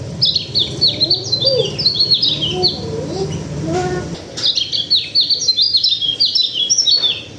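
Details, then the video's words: Local white-eye (pleci) from Sulawesi singing a fast, high twittering warble of short down-slurred chirps in two long bursts, with a brief low pause between them and faint background noise. "Pleci lokal sulawesi"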